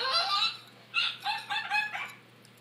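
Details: Macaw making aggressive squeals and goose-like noises, kept indoors: a harsh drawn-out squawk followed by a series of short nasal honking notes.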